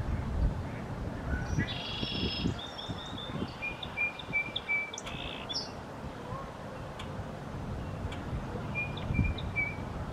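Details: Male Song Sparrow singing close by in spring, Ottawa, April 2023: faint high clear notes, then a brief buzzy trill and thin whistled phrases, over steady low rumbling background noise.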